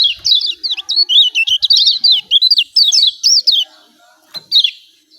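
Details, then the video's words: Lombok yellow white-eye calling 'ciak ciak' with strong emotion, used to coax silent birds into calling; a long, continuous string of quick, high, warbling chirps, then two brief notes after a pause. "CIAK CIAK JOSS KECIAL KUNING AMPUH||PANCINGAN KECIAL MALAS BUNYI"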